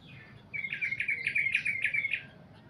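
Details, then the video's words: Sooty-headed bulbul's long goklik song here comes as a fast, even trill of about a dozen bright repeated notes lasting under two seconds, after a brief quiet start. "trucukan goklik panjang"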